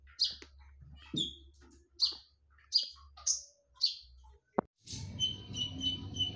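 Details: Konin songbird singing a lure song, sharp and loud: about six high, bright, downward-slurred notes spaced roughly half a second apart, then a sharp click and a burst of rustling noise with steady high tones.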